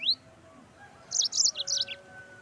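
A yellow-fronted canary gives a brief upslurred whistle, then a quick burst of high, sweet twittering notes lasting about a second.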